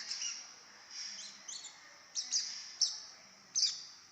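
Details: Young lovebird chattering in thin, high-pitched squeaky chirps, some quick and clipped and others slightly drawn out, spaced irregularly. The chirps sound soft and indoors-quiet.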